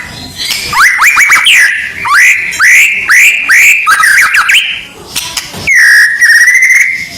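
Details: White-rumped shama training audio before a contest: loud upslurred whistles repeated about every half second, a short rising trill, then a long steady whistled note.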